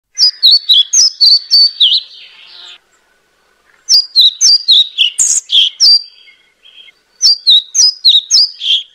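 European pied flycatcher giving three quick phrases of about eight high, sweet, see-sawing notes, each phrase roughly two and a half seconds long with short pauses between.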